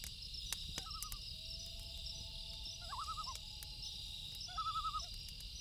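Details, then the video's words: Loons at night by a lake give quavering tremolo calls: rapid warbling bursts in three phrases, with a faint long wail underneath. Crickets trill steadily in the background and a campfire crackles. "1 Hour Loon Calls With Campfire Sound"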